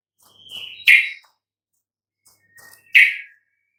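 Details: Sooty-headed bulbul vocalizing, a recording for stirring reluctant bulbuls into song: two separate phrases, each a thin whistle sliding into a loud, explosive, bubbly note.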